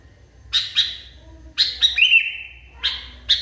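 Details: Sooty-headed bulbul, described as extremely agitated, giving sharp high chirps in pairs, then a rapid burst ending in a drawn-out, slightly falling whistle, followed by more clipped chirps; low rumble underneath.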